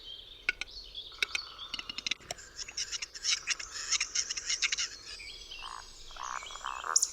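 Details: Western capercaillie male sitting in a tree on a March evening in darkness in a secluded Polish forest, singing its quiet four-part display song: dry clicks speeding into a rapid knocking run, then a hissing, scraping whetting phrase, soft and close.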